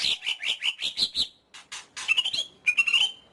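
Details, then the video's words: Greater green leafbird giving a rapid series of bright, slightly rising chirps, then a pause and a fast high twittering trill that ends on a held whistle. "Suara Burung Cucak Ijo"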